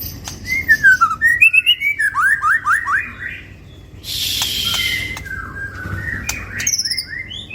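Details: Magpie-robin song used to draw a kept bird into song: series of downslurred whistled notes, a burst of harsh hiss-like noise midway, then more scattered whistles over a low background hum.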